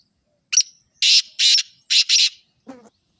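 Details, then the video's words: Black francolin uttering a rasping series of five harsh, scratchy notes, the last two run together, ending with a low, soft grunt. "Kale teetar ki aisi Awaaz ke Jungali teetar be bol pura"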